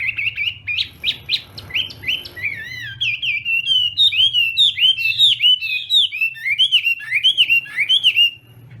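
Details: Chinese hwamei in a morning voice-training and contest song: a rapid series of loud, rich whistled notes, first short upward strokes, then looping, warbled phrases that rise and fall in quick succession, with a low steady hum underneath.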